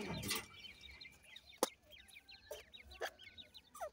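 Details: Desi Irani teetar (francolin) chicks being raised by keepers; thin high peeps with quick falling and rising slides, several chicks calling over one another, broken by sharp knocking clicks.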